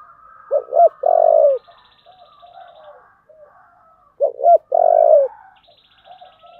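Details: Spotted dove repeating its "giọng thổ" style song twice, about four seconds apart: each time two short throaty notes and a drawn-out deep coo, with quiet chirps and high buzzy trills behind.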